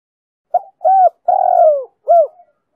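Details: Female spotted dove cooing to excite males, in the chiêu, thúc and gù styles: a clipped note, an arched coo, a long descending coo, then another arched coo, all soft and low.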